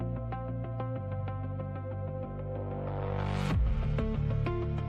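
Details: Electronic music with a throbbing synthesizer beat and a rising sweep, no animal sound.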